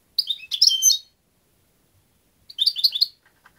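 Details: European goldfinch giving short clusters of high, rapid twittering chirps, two bursts about two seconds apart, in a quiet setting.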